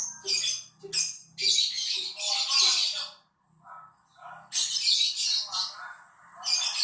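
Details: Lovebird lure song, played to encourage other lovebirds to sing: long, loud bursts of dense, shrill chattering and squealing, broken by a brief quiet gap and faint background clicks.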